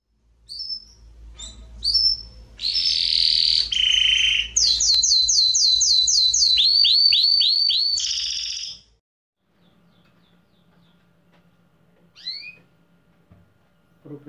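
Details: Domestic canary singing in a song competition in Pelotas, Rio Grande do Sul, Brazil: scattered high chirps, then broad buzzy notes and a long run of rapid repeated upswept whistles around eight seconds, fading into quiet with two late chirps.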